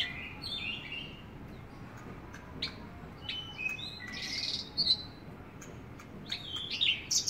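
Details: Javan bush lark in full, active song: a varied run of short whistled and chirping notes, some steady, some sliding or trilled, high-pitched and spaced irregularly, with brief buzzy bursts, over a low background hiss.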